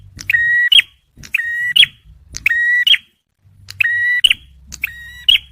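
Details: Male bar-winged prinia song for luring and prompting stressed birds: five crisp phrases, each a tick, a flat held whistle and a sharp upturned end note, close to one a second, in near silence.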